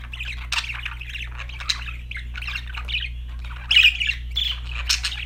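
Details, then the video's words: Budgies chirping happily: scratchy, squawky chatter throughout, with a louder burst of harsh chirps near the end, over a low steady hum. "budgies chirping sound"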